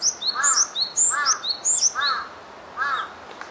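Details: On 12 April 2018, a Japanese tit gives high, thin chirps mixed with harsh buzzy rasps, repeated about once a second; a faint crow-like caw may also be heard.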